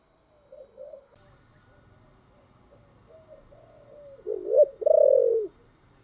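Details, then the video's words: Spotted dove singing in the giọng thổ style: soft low coos that build to a loud short hooked note and a drawn-out, slightly falling final coo, with faint low rumble beneath. "cu gáy giọng thổ"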